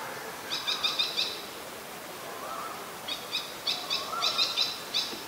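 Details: Malaysian pied fantail (Rhipidura javanica), a very common resident, recorded 14 December 2020 in Ubon Ratchathani, Thailand, giving short bursts of high, squeaky chattering notes in quick clusters over a soft background hum of other birds.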